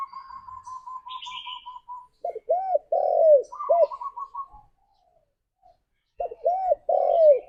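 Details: Spotted dove calling its companions: two phrases of low, rounded, arching coos, the second ending in a longer drawn note. Another bird's rapid, evenly repeated trill runs at the start and midway, with faint high chirps above.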